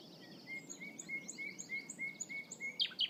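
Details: Common nightingale singing in spring after its return, in a hunting concession: a run of short, even notes repeated about every quarter second, with higher slurred whistles between them, closing with two sharp, loud, falling notes.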